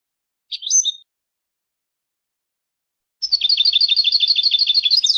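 European goldfinch: a brief liquid twitter, then after a pause a fast run of bright tinkling, buzzy notes, about three per second, high-pitched.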